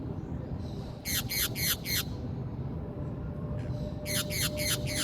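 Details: Green parakeet from Brazil calling in two bursts of four shrill, rasping squawks, each note dropping in pitch, separated by about two seconds of low background noise.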